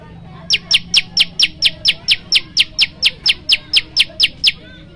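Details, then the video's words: Varied prinia song, the prenjak lumut used to coax and tutor young or silent birds: a rapid run of about seventeen short, high, buzzy chips, steady in pitch and evenly spaced around four per second. "prenjak lumut gacor variasi"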